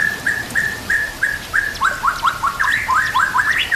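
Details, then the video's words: White-rumped shama song used as a master recording to train shamas, set with nature sounds and trickling water: clear whistled notes repeated about every third of a second, then quick falling-rising slurred phrases in a lively run. "Murai Batu Full Gacor Murai macet langsung Gacor Masteran Murai"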